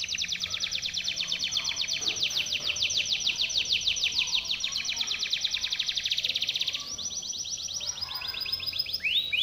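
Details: Powerful Timbrado canary training song, a continuous fast trill of tight downward-sweeping notes lasting about seven seconds, then a higher trill and a closing upward slur.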